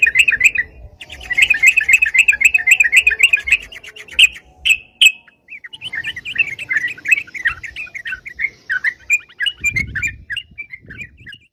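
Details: Sooty-headed bulbul in busy ropalan song, used as a decoy for bird trapping: long streams of quick, bubbly chattering notes, pausing briefly then resuming with looser, more spaced twittering phrases; faint low thumps in the background.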